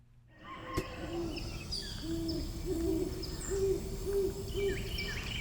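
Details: Female Great Horned Owl of a pair in a tree at Bois D'Arc WMA near Hope, Arkansas, on 19 November 2025. She gives a run of about seven deep, soft hoots, roughly two per second, over thin high chirps from smaller birds.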